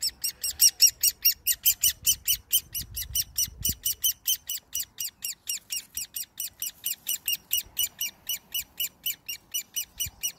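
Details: An orphaned great spotted woodpecker chick being hand-fed by people, 30 May 2020, begs with harsh, scratchy chirps repeated rapidly, about four a second, hardly pausing; a few soft low thumps come early on.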